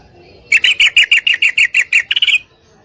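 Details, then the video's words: Calling a male to mate, a female yellow-vented bulbul gives one quick run of about eleven sharp, ringing chip notes over under two seconds. The last notes are slightly higher and tighter. "Trucukan Betina Gacor Memanggil Pejantan"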